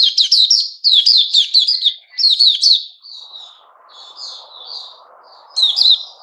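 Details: Loud white-rumped shama song dated 29 August 2021, fast ringing chips and slurred whistles in rapid bursts, then softer drawn-out whistles over a low background hum before another bright burst.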